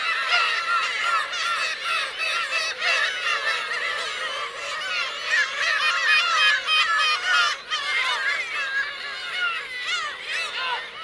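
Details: A crowded black-tailed gull colony of adults and chicks calls on Teuri Island's Kurosaki shore, Hokkaido, Japan, 17 June 2021. Many birds give mewing, arched cries at once, with a brief lull near the middle.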